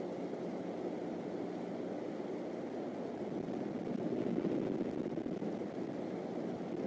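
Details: Steady low rumbling engine-like drone that swells slightly midway, with no animal calls heard.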